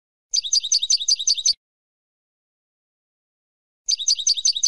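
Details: Female European goldfinch calling to encourage a silent male to sing: two bursts of rapid, scratchy high twittering, each a little over a second long, separated by a few seconds of silence.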